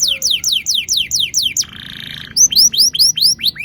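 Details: Canary song used as a lure to get young canaries singing: a rapid series of bright descending whistles, then a steady buzzy rolling trill, then a run of sharp rising whistled sweeps, all high-pitched and clean.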